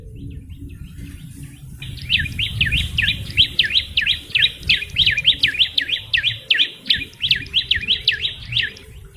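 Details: A yellow-bellied prinia, recorded as a bird lure, bursts into a loud, rapid chain of sharp chirps after a quieter start, each note a steep down-up sweep, repeated nearly three times per second.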